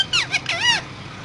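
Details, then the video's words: Talking parrot producing a few quick wavering whistled syllables, arching up and down in pitch, within about a second. "Raw Parrot Talking So Cute"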